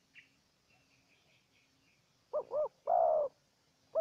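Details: Spotted dove, a wild bird answering a decoy during trapping. After faint high chirps from small birds, one phrase sounds: a quavering double coo and then a long mellow coo. The start of another coo cuts in at the end.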